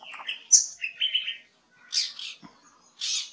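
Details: Oriental Magpie-Robin, recorded in India, singing varied, sweet whistled phrases mixed with harsher, scratchy notes, delivered in short bursts with brief pauses between them.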